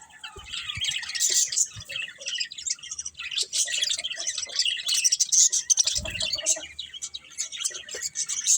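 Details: Pet budgerigars warble nonstop in high, scratchy chirps and whistles, roughly three notes a second, with a short low thump at about six seconds.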